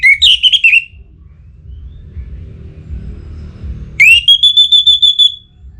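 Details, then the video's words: A kept orange-headed thrush from North Bali, in breeding condition and calling a rival. A brief fluty phrase fades out, then after a pause a rising whistle runs into a long, steady, trilled note of high repeated pulses. "ANIS MERAH Gacor Pancingan Birahi & EMosi Burung || Kicau memanggil lawan"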